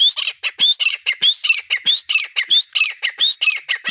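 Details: Breeding-season grey partridge (teetar) giving loud, rhythmic harsh calls: rising whistled notes alternate with grating, squawky syllables at a steady quick pace throughout.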